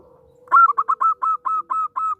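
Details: Local zebra dove singing, used to lure and prompt other zebra doves to sing: a rapid run of about eight short, level, clear cooing notes, steadily repeated, in a quiet setting.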